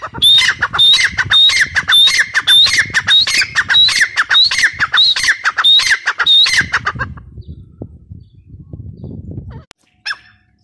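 Grey partridge giving harsh, grating squawks with a ringing edge, about two per second for seven seconds, then near silence with a faint click.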